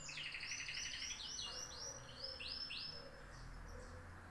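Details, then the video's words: Canary song made of rapid repeated high notes, a trill of short chirps giving way to swooping falling-rising whistled phrases, each syllable repeated about four times a second, with faint low background hum. "طيور الكناري"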